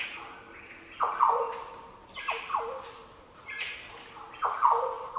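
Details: Green Oriole song in the Daintree rainforest, northern Australia. Three deep, liquid phrases, each a sharp downward swoop that settles into a fluty held note, with a constant shrill insect hum behind.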